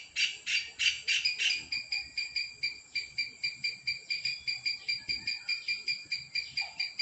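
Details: A kingfisher gives its breeding song, a long series of shrill, strident, buzzy notes, about three per second, slowing slightly into a steady pulsing rhythm.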